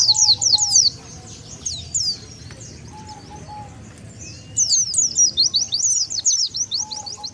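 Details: Oriental white-eye calls played as a lure to gather wild birds: a short burst of high, fast chattering twitters, a quieter stretch with faint soft tones, then a second, longer run of sharp zigzag notes.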